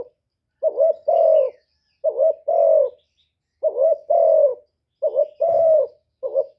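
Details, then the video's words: Spotted dove acting as a decoy, cooing in a contest with a wild bird: four even two-part phrases, each a short warbled note then a longer smooth coo, about every 1.4 seconds. "Tiếng cu mồi lỡ gù đấu bổi"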